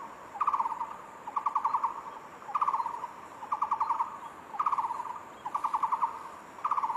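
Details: A barbet sings a steady series of quick trilled bursts, each a tight run of identical mid-pitched notes, spaced about a second apart.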